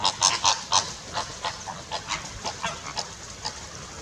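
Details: Greater flamingos at a wildlife park, flapping, preening and splashing, keep up a busy chorus of nasal, goose-like honks, several a second, overlapping from many birds at once.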